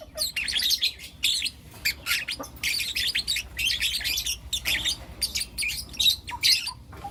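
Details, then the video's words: Four young captive lutino lovebirds heard in the morning; rapid run of high, squeaky chirps and twitters, nearly continuous with short pauses, some sharp rising notes. "Lutino LoveBird Chirping Sounds"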